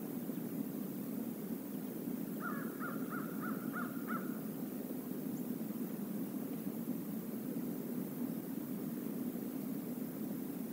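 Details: Crows of a visiting flock at the stream area by the Decorah North eagle nest, late November 2021, live camera: five short, evenly spaced harsh caws, then only steady low rushing background.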